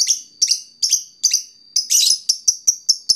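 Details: Fighter lovebird provoking a rival lovebird: a quick chain of shrill, scratchy chirps at an uneven pace, swelling into a dense harsh burst midway before continuing as sharper, shorter notes.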